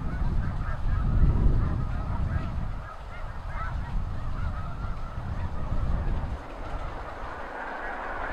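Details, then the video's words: Snow geese by the thousands lifting off at once from farmland near the seaway during high tide, mid-April to mid-May; massed honking clamor with a loud low rumble that fades briefly near three seconds and again toward the end. "Snow geese take-off"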